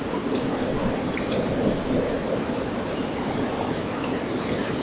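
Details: Steady broadband hiss, like rain or distant traffic, with no animal voices.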